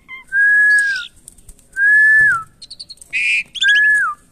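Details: During taming, a caged Asian pied starling repeats long, pure, steady whistles that dip at the end, with short chirps and a harsh buzzy note between them.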